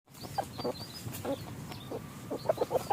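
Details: Red junglefowl during forest hunting with a decoy; short, soft clucks come singly and then in a quick cluster of four or five near the end, over steady low background hiss.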